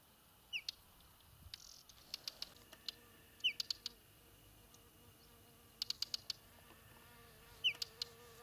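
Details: Whinchat on Exmoor giving a short, high, falling whistle followed by dry clicking ticks, repeated every few seconds over a faint low hum.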